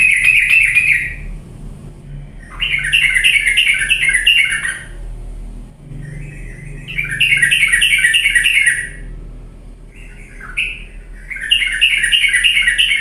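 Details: Energetic yellow-vented bulbul song played as a lure for lazy birds, with four bursts of rapid, harsh chattering notes, each about two seconds long and separated by short pauses, over a faint background hum.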